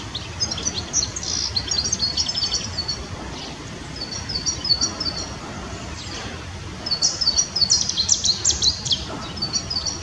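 A European goldfinch sings bright, tinkling twitters in quick high bursts that pause and resume, over a steady low background rumble.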